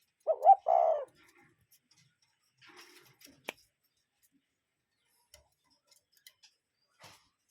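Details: One clear two-note hoot from a cuckoo in nature at the start, short then drawn out, followed by faint rustles and a few soft clicks.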